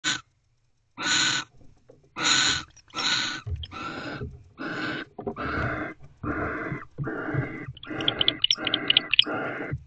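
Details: Barn owl at a nest box at 3:02 am on 31 December 2023, back at the box and guarding the door rather than mating; about ten harsh, breathy hissing bursts, each coming sooner after the last.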